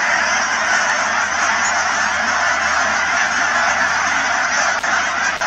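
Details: Canada geese by the thousands at the Cheam Wetlands near Chilliwack, BC, produce an intense, constant clamor of honks, with a couple of brief clicks near the end.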